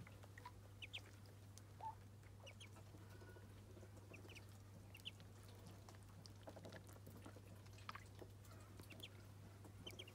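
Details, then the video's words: Muscovy ducklings at their first bath give scattered short, high peeps, some in quick pairs, spread through the recording over a steady low electrical hum. "Muscovy Ducklings’ First Bath 🛁💦💦💦 [Original Sounds]"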